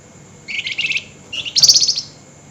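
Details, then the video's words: Flameback giving excited night-time calls: two quick rattling chatters in succession, the first a lower, buzzy stuttering series, the second higher, shriller and louder, against a quiet background. "Tembakan Burung FLAMBOYAN GACOR Nyerecet Emosi Tinggi DiMalam Hari"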